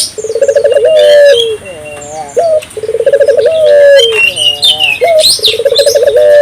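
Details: Persistent calling of an African collared dove, used to get local doves calling as well; three rolling, bubbling coos, each trailing into a sustained note, with busy high chirps and twitters from other birds.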